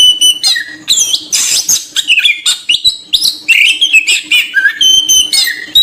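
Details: Kacer, the oriental magpie-robin, in a bird-luring song: a dense, fast run of varied whistles, chirps and rasping notes with hardly a pause, over a faint steady electrical hum.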